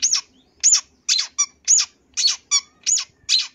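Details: Long-tailed shrike in a full-isian song recording meant for training other songbirds: harsh, scratchy bursts repeated about once a second, each a broad rasping note with some higher squeaky edges, quiet gaps between.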